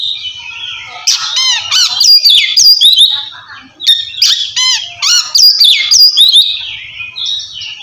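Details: Oriental magpie-robin singing loud ngeplong to challenge a rival and spur quiet birds; two bursts of fast rattling trills and whistled slurs separated by a short dip, with faint low background hum.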